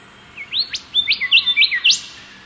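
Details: Golden whistler song: a loud, rich run of whistled notes in quick slurred phrases, rising and falling, building to a sharp upward-swept final note over a quiet background.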